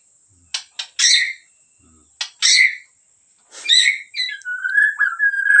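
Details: White-rumped shama of the Medan type, in gacor form: clicks and loud harsh chack notes, then a scratchy phrase flowing into a sustained, slightly wavering whistle.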